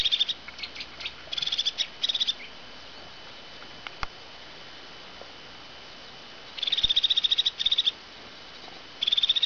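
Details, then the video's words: Crested tit giving high, rapid purring trills in short bursts of two or three, with a single sharp click between; a call it gives before taking cheese in autumn or while waiting to bathe in summer. "Tofsmes ett läte"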